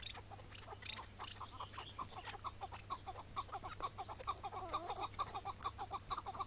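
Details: Wild Chukar partridge on a May morning in 2017, calling during a long struggle before capture and later release. Hoarse chucking notes come in quick succession, growing louder and denser toward the end, with a few higher rasping notes mixed in.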